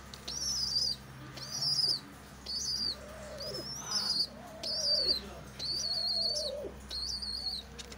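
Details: A pigeon with its chick, heard as shrill squeaks, each about half a second long and repeated roughly every second. Deeper, drawn-out arched calls overlap the squeaks, over a faint low background hum.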